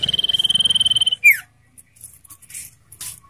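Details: Common iora, lure and tutoring recording for captive birds: one rapid, pulsing high trill of about a second, ending in a steep falling slur, followed by soft clicks and rustles.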